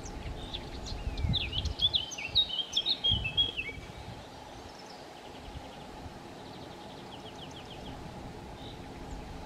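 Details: Eurasian blackcap in Chełm, Poland, 17 May 2022, singing between bouts of feeding: scratchy twittering that builds into loud, clear whistled notes lasting about three seconds, followed by quiet background hum.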